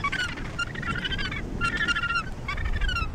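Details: Australasian gannets at the Point Danger breeding colony near Portland, Victoria, Australia, giving loud harsh, drawn-out rasping calls with slightly falling pitch, several birds overlapping, with low background rumble.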